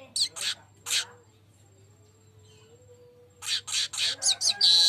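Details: Golden-headed weaver, known locally as manyar, recorded as a lure song. It gives loud, hissing buzzy bursts, several in a quick run, then a pause with a faint hum, then a fast chattering series ending in a sharp sustained buzz.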